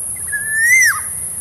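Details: Black-naped oriole singing one clear, mellow whistle lasting under a second, slowly rising in pitch before dropping steeply at its end, with a quiet low hum underneath.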